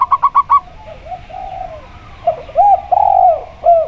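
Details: A local zebra dove, heard with a spotted dove on a recording used to coax doves into singing. Four quick clipped notes open, followed by a drawn-out coo and then louder arching coos.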